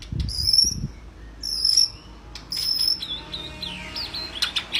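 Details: Energetic song of a white-rumped shama, played to train other birds: piercing high whistled notes repeated about once a second, followed by quick downward-sweeping slurs and a few sharp clicks near the end.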